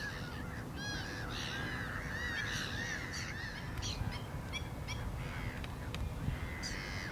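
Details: Black-winged stilt calls with nasal yapping notes, some arched and some falling. They come thickly at first and sparser later, over a persistent low rumble.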